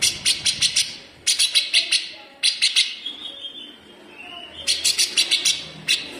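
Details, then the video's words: Grey-cheeked bulbul (cucak jenggot) in dense 'besetan' song, rough and sharp, used to train green leafbirds: repeated bursts of quick, high, scratchy notes, with a longer thin note between bursts. "CUCAK JENGGOT GACOR BESETAN RAPAT"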